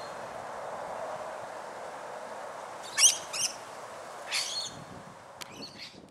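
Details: Rainbow lorikeets feeding in Australia give short, harsh, screechy bursts, two close together midway, then a louder rasping one, followed by scattered softer chattering notes near the end, over a steady low background hiss.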